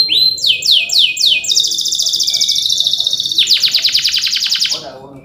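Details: Male canary in full song, a rolling 'ngerol cuit cuit' style meant to stir other canaries: rapid downslurred notes, then a long dense buzzy trill, then a fast pulsed rattle ending abruptly.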